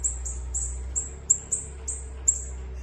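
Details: Bananaquit let loose outside, giving a fast run of thin, very high, sharp notes about three to four per second, each note short and bright, over a steady low hum.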